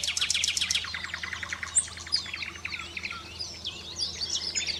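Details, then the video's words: A common nightingale sings in competition with 5 to 6 other nightingales, opening with a fast, loud rattle of repeated high notes, then breaking into varied whistles while the others sing over it. "Nattergalesang (singing nightingale)"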